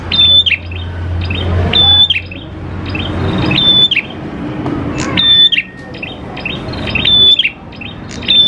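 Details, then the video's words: Lure recording of a singing prinia: high thin whistles with short chirps, repeated about every two seconds, one lower drawn-out whistle, and a low hum and background noise in the first seconds. "PANCINGAN PRENJAK KLAWU GACOR, NGALUN BIKIN PRENJAK CEPAT BUNYI"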